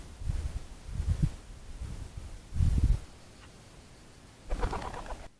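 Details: Common wood pigeons calling: deep, muffled low coos in several short bursts, with a brief noisy rustle near the end, possibly wings.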